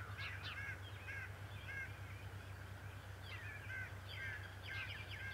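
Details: Bald eagle, the male of the Decorah pair, on a morning in March 2018: short bursts of high squeaky chirps in scattered groups of two to four, with a constant low electrical hum behind.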